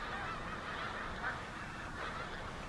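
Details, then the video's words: A large flock of snow geese on Oberly Road, Alpha, New Jersey, USA, 6 February 2026, makes a dense, steady din, overlapping nasal honks and yelps merging into one continuous roar. "Large Flock of Snow Geese making noise"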